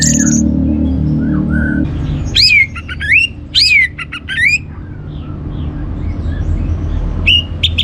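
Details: Orange-headed thrush (anis merah) song used as a teaser to stimulate other birds to sing: loud, clear whistled phrases that sweep upward then drop, with sharp chips between them, over a steady low hum and faint distant birds.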